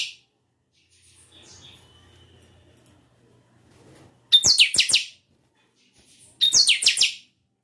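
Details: Chanchão kept by a breeder repeats a brief high phrase twice, two seconds apart: a piercing whistle start, then several quick descending trills, over quiet indoor background hum.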